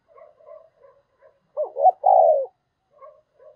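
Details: Decoy spotted dove gives soft stuttering low notes, then one loud coo of two short rising hoots and a long, deep, falling coo, followed by more quiet murmurs.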